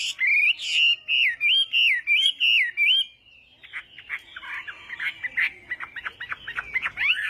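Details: Chinese hwamei in morning fighting-song practice: three seconds of looping whistled notes, a brief silence, then fast, varied chattering phrases with rising whistles.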